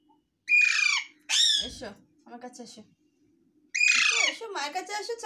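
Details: Baby Alexandrine parakeet kept as a talking pet indoors, giving loud harsh rasping squawks in bursts with pauses between, plus softer chattering notes and a faint steady background hum.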